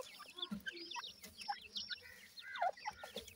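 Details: Young Black francolins, a captive family of five chicks aged 26 days, three females and two males, calling in quick, thin falling chirps and short twittering notes that overlap, with a few soft clicks.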